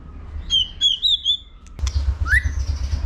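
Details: White-rumped shama competition song used to stir young birds to sing: a quick run of high, wavering whistles, a sharp click, then a rising slurred note with faint high notes continuing, above steady low hum.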